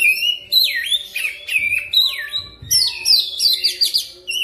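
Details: Oriental magpie-robin singing a lure song to prompt fast rolling song: repeated loud swooping whistles curving down then up, ending in a rapid series of buzzy trilled notes, with faint low thumps and hum.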